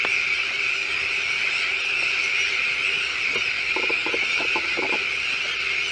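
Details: Breeding colony of Sandwich terns with chicks walking back and forth on a new shell island at De Putten, Netherlands; constant massed rasping calls, with a short burst of low stuttering notes near the end.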